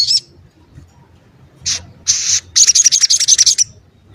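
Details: A crimson sunbird (local name sogon ontong), kept as a vocal tutor for songbirds, gives a short high whistle, a pause, then a fast burst of sharp high-pitched chattering notes, about eleven in quick succession.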